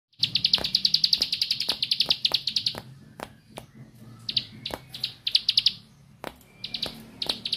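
Bar-winged prinia singing rapid, high, buzzy chattering bursts of repeated notes, broken by sharp clicking ticks and brief pauses.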